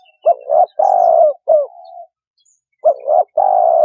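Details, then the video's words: Spotted dove call used as a lure for trapping: low, husky cooing phrases, each a short double coo then a longer drawn-out coo. A few phrases follow one another with a brief pause before the last one. "Cu Gáy Kích Bổi 2020"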